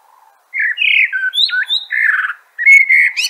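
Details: Rich whistled song of a common blackbird, a string of mellow slurred notes around two kilohertz with brief higher squeaks, a short gap, then another fluty phrase.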